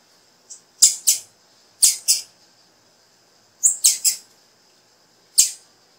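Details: Calls of a female blue-black grassquit, used to stimulate a male to sing: crisp, high, clicking chips, mostly in doubled or tripled bursts, repeated every second or two in a quiet setting.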